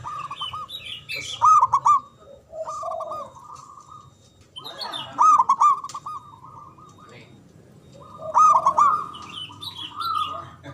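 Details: Local Javan zebra dove with a big, loud, long-breathed voice, used as a lure to prompt silent doves to answer: soft rolling cooing phrases near mid pitch, repeated about every three to four seconds, with higher chirps from other small birds.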